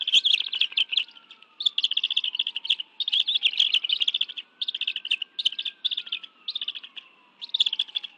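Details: Two adult bald eagles and two eaglets at a nest in the National Arboretum, Washington, D.C., feeding on fish on a June 2017 afternoon: almost continuous high, rapid chirping in short bursts, a gliding siren faintly underneath.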